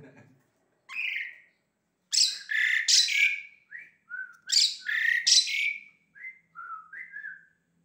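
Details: Asian pied starling song built from loud, harsh, buzzy squawks mixed with short whistled notes. Bursts come in quick succession and are followed by a few softer, falling whistles, with no other clear sounds.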